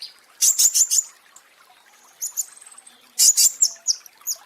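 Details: In this training recording for caged birds, a pentis raja flowerpecker gives a burst of four sharp high chips, a soft thin rattling trill, then another rapid cluster of piercing chips.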